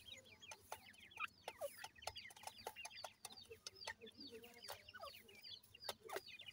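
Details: Grey francolin chicks, seven days old, calling while feeding: a dense chorus of thin, high, rapidly repeated peeping notes from many chicks, with sharp clicks and occasional lower clucks.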